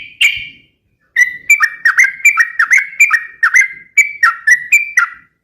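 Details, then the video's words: Sooty-headed bulbul song for luring and tutoring other birds: after a single note and a pause, a lively string of whistled phrases, each note dipping then rising, repeated about twice a second. "suara trucukan gacor"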